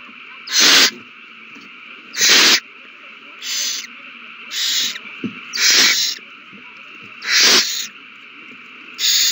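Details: Owls at the nest as a frenzy begins after a mouse is found and handed over, 21 March 2020: about eight loud, harsh hissing bursts spaced roughly a second apart.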